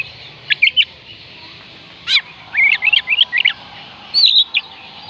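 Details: Oriental magpie-robin song, used to prompt reluctant birds to sing: a few clear whistled notes, a sharp upward sweep, then a run of quick warbled phrases over a steady background hiss.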